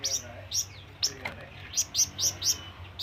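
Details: Calling flamboyan (scarlet minivet) summoning a companion or rival: high, slightly downslurred chirps given irregularly, then a steady run of five, with a low hum behind.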